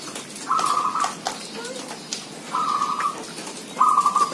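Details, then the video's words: Zebra doves calling: three clear, crisp, rattling trilled coo phrases, spaced about one to two seconds apart, with a soft low whistle between them. "Merbok kampung bunyi ramai"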